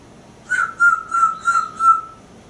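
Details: Pet African Grey Parrot on a porch, practicing words with its owner, answers a question with five short, clear whistled notes on a steady pitch in a quick even series, followed by a woman's voice.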